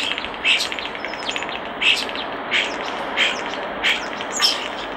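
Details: Common starling by a nest box gives repeated short buzzy chirps with clicks, roughly every second, over a broad background hiss.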